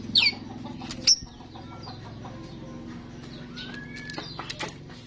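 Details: Lure recording of a starling to attract others: two sharp, high, squeaky notes early on, then scattered chirps and a drawn-out falling whistle, over a low background hum.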